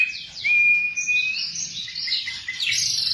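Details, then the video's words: Training song of a white-rumped shama for captive birds: short downward sweeps lead into a long steady whistle, then a sequence of bright slurred notes and rapid high flourishes. "macam macam suara murai batu"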